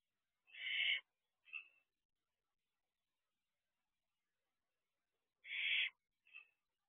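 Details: Barn owl owlet at its nest box at night, 4:08 am, dated 6/1/23: two paired calls, each a long raspy hiss followed by a shorter, thinner burst, the pairs about five seconds apart with silence between.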